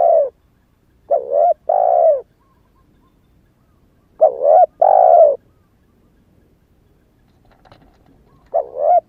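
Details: Young spotted dove newly calling, still in wild plumage, kept to lure wild doves: spaced hoarse coo phrases, a wavering short note then a fuller longer note, three bouts with long silent gaps.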